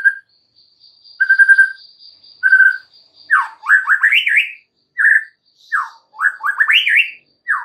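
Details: White-rumped shama singing rich, mellow whistles: short level notes, then quick rising slurred phrases in bursts about every second, over a faint thin steady high tone; used as master song to train birds.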